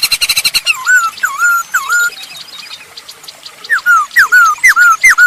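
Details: Energetic masked laughingthrush song for luring other birds: a quick rattle, then slurred whistles dropping and rising, a pause, then another run of sharp down-slurred whistles, with scattered high twitters from other birds.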